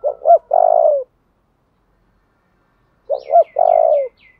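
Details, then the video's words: Spotted dove cooing to stimulate and train decoy birds: two three-part phrases, two short rising notes and then a long, level, slightly falling coo, about three seconds apart. A faint series of high chirps from another bird accompanies the second phrase. "tieng chim cu gay thuc đấu/ chim cu gáy tập bổi và mồi"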